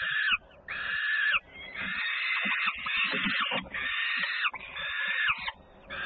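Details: Peregrine falcons at a nest in Włocławek, Poland, 3 June 2010, around feeding time as a sister returns with loud commotion: long, grating wails in close succession, with rustling and knocking below.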